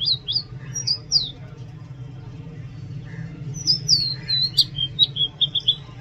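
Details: An Oriental magpie-robin sings clear, high whistled notes in short phrases, a few at first, then a quicker run of slurred whistles after a brief pause; low hum in the background.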